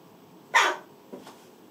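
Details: A young rescued Western jackdaw, about three months old (July 2019), gives one harsh, muffled, bark-like call while holding a piece of apple in its beak, then two short, softer notes in a quiet room.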